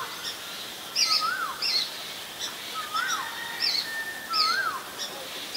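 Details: Ashy drongo recorded in Ubon Ratchathani, Thailand, on 11 April 2022: clear whistled notes with rising and falling slurs, mixed with short high chips, given in loose phrases about every second over a steady background hiss.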